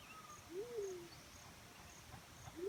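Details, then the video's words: Black-chinned fruit dove giving a low, mellow hooting note that swells upward then slides gently down over about half a second, with a second hoot just beginning at the end; faint, thin high tones sit in the background. "Natural Sound Call Of A Black-chinned Fruit Dove"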